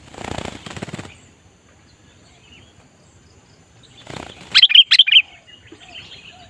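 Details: Sooty-headed bulbul kept to lure wild bulbuls: a burst of wing flapping opens, then a quiet stretch. More flapping leads into a quick run of sharp, bubbly whistled notes, followed by softer chirps.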